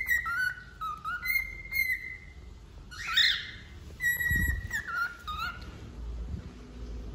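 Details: Wild-type male cockatiel singing during a molt, clear whistled phrases stepping down and back up in pitch, repeated in bouts with a brief harsh burst in the middle.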